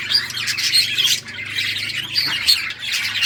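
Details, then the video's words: Budgies at play, several birds, June 17, 2023; loud harsh squawks and quick chirps with a few piercing whistled notes, over a faint low hum. "Budgies playing and chirping"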